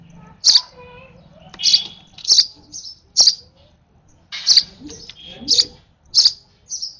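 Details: A young sparrow, over-excited while being hand-fed its last feed, chirps insistently in high bursts, some doubled, spaced unevenly across several seconds. Faint softer rustling sounds come between the calls.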